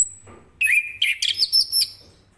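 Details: Orange-headed thrush, morning ngeplong song that prompts other birds to reply. A brief high whine gives way to a sustained whistle and then a quick tumble of bright, varied notes lasting about a second.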